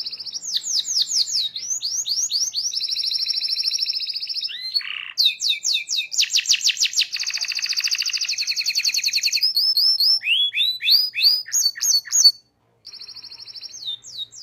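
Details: Canary tutor song for young birds learning to sing, long and energetic: fast series of sweeping chirps, long rolling rattles, bursts of rising notes repeated several times a second, a short silence, then trilling resumes.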